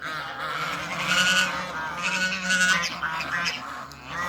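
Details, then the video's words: A backyard meeting of male and female Toulouse geese: continuous overlapping nasal honking from several birds, steady and loud with a few stronger peaks. "SEAZON BIRDS MEETING-MALE VS FEMALE TOULOUSE GEESE IN THE BACKYARD"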